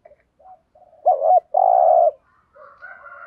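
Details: Spotted dove, thổ-style voice, thúc gù coo: quiet low murmured notes lead into a loud double hoot and long buzzy coo, then softer low sounds and a faint higher tone afterwards.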